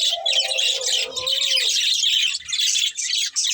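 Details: Budgies twittering in a continuous buzzy chatter, with a lower, drawn-out wavering whistle sliding beneath during the first second and a half.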